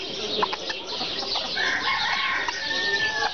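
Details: Serama chickens: a few scattered clucks, then a steady, drawn-out crow held for over a second amid the hubbub of other birds.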